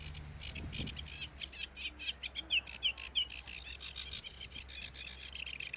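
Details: Sedge warbler song: a rapid run of scratchy repeated notes with a few clear upslurred whistles mixed in, the pace quickening into a dense rattling trill, over a low rumble in the background.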